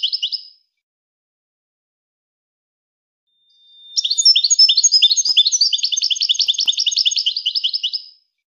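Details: European goldfinch singing: a brief twittering burst, a few seconds of silence, then about four seconds of rapid, high, repeated tinkling notes run together in a lively trill, with no other sounds.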